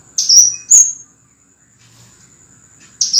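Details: Cage-bird training recording of a scarlet minivet: two sharp bright whistled notes in quick succession, then near silence before another note begins; a faint steady high hum is present throughout.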